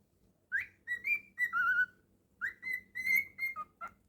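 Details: Pet male cockatiel whistling a melody: clear sustained and sliding whistled notes in two phrases, some level, some dipping lower, over faint low room noise.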